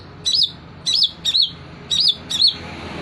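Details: Long-tailed shrike singing and mimicking prinia and kingfisher calls: sharp, high chirps with a quick wavering twist, given in bursts about one second apart over a low background rumble.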